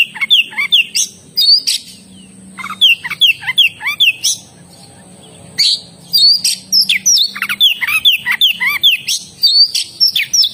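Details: Oriental magpie-robin singing energetically: repeated phrases of clear downslurred whistles and buzzy chatter, in dense runs separated by short gaps, continuing over ten seconds above a faint steady high tone.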